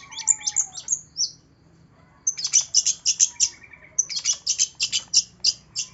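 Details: Long-tailed shrike, used as a lure to prompt a reluctant shrike to sing: bursts of sharp, high chattering notes in rapid series, with brief gaps between phrases and a lower whistled slur early on.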